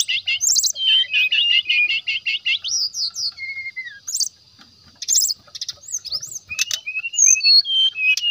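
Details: Chattering song of a brown-chested jungle flycatcher, sung to provoke other birds into answering: a rapid buzzy trill opens, then clear descending whistles, sharp upslurs and scattered high chips, with a brief pause midway.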